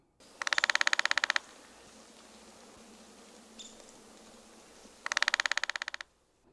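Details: Downy woodpecker drumming, likely as spring territory or courtship signal: two rapid, even bursts of about twenty dry taps each, roughly one second long, separated by a four-second pause with faint background hiss and a brief soft chirp.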